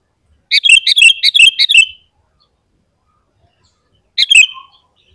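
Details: Lively sooty-headed bulbul song, used to stir caged and wild bulbuls: a rapid burst of about six bubbly, liquid notes falling into a short whistle, silence, then one more bubbly note.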